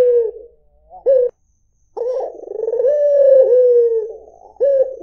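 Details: Tail of a falling coo, a short clipped note, a brief silence, then one full coo from a white Barbary dove: low, rolling and throbbing before easing into a long, gently dropping tone.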